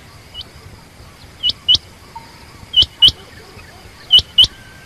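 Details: Calls of a female quail: three evenly spaced pairs of short, high, hooked chirps, each pair split by a quarter-second, with long quiet gaps between pairs.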